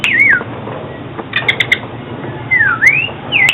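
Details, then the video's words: Oriental magpie-robin song, played for trapping and daily song training: clear whistled phrases that swoop down then rise, separated by short clicks and chips, with a steady low hum underneath. "Tiếng chích chòe than chuyên dùng đi bẫy và luyện giọng chim hót hay mỗi ngày"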